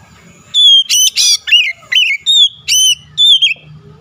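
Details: Oriental magpie-robin song played to set off a rival's singing: a steady run of about eight loud whistled phrases, each slurring downward, with a faint low hum underneath.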